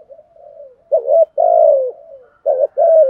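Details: Decoy spotted dove in the urging coo style used to lure wild doves: soft falling murmurs, then loud throaty coos, one long sustained note sliding down, followed by two short strong coos.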